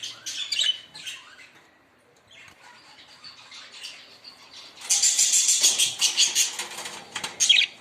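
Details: Budgerigars chattering: a few scratchy chirps at first, a quiet pause, then a dense, rapid run of buzzy, high twitters and clicks, with one louder squeak to finish.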